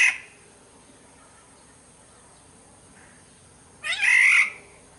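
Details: Sumbawa black-naped oriole lure recording: the tail of one harsh call at the start, then after a quiet stretch a single grating, cat-like squall lasting about six-tenths of a second.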